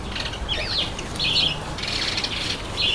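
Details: Red-headed finch, or red-headed amadina, taking a bath; bursts of scratchy, squeaky chirps at high pitch, mixed with splashing and fluttering sounds.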